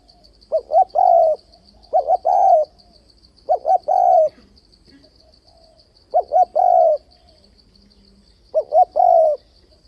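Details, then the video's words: Spotted dove used as a trapping lure, provoking rival doves with its reversed-voice cooing and 'bo' notes. Five phrases, each a pair of quick hoots leading into a longer falling coo, spaced roughly every two and a half seconds. "Tiếng cu gáy kích bổi bẫy đấu ,//tiếng chim cu gáy đảo giọng kèm bo liên tục"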